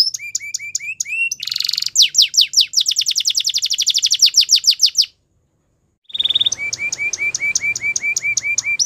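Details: Belgian canary (Serinus canaria domestica) singing in the morning: bright, high trilled phrases of repeated whistled notes, then fast rolling trills, a brief pause, and more piping notes.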